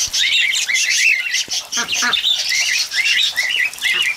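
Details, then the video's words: Several cockatiels bathing in the rain give a steady stream of overlapping chirps and short whistled notes, rising and falling quickly, with a constant hiss of rain-like noise underneath. "Cockatiels Bathing In The Rain"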